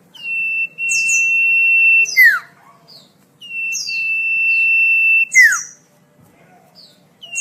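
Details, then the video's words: Sweet common iora phrases meant for tutoring caged songbirds: twice a long, level, high whistle lasting over a second, each ending in a sharp descending slur with quick high chips around it. "Suara merdu burung cipoh/sirtu/sirfu"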